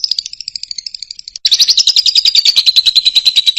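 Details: A Fischer's lovebird song used to teach young birds to sing: fast, high, squeaky chirps, then a louder, buzzier run of rapid notes, about three per second, with no other sounds.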